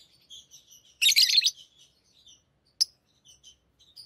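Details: Tame pet lovebirds chirping: soft high tweets throughout with one loud harsh burst of chatter and a single sharp squeak later.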